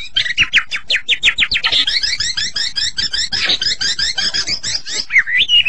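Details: White-rumped shama singing a fast series of high repeated chirping notes, dense and rhythmic, ending with a slurred whistled phrase.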